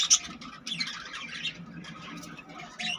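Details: Budgerigars in a breeding colony with many newly hatched chicks, giving dense high chirps and scratchy warbling chatter, with a sharp squawk near the start and more bursts toward the end.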